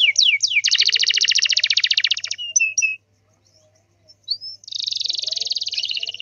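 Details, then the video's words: Canary song used as a master recording meant to make other canaries answer: sweeping whistled notes, then long rapid trills, short slurred whistles and another buzzy rolling trill after a pause. "SEKALI PUTAR KENARI LAIN PASTI NYAUT"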